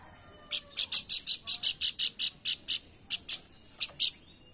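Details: Pelanduk bukit lure call, used to stimulate other birds to sing: a fast run of sharp, high, broadband chip notes, about five per second, then a few spaced chips after a short pause.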